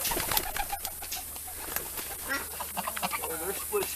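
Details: Homing pigeons, kept in a backyard with fantail pigeons, give low, soft, throaty coos in short bursts, mixed with a man talking nearby and some scratchy background noise.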